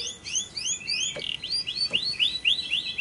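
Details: Lovebird used as a lure recording to prompt other lovebirds to sing, day or night: a run of sharp, high downslurred chirps repeated roughly four times a second, with a couple of brief clicks in the background.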